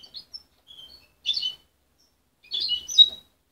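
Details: Young goldfinch hybrid, raised by its mother rather than hand-reared and separated at 23 days; its song is still muddled. Short high twittered notes and two brief chattering bursts, separated by silent gaps.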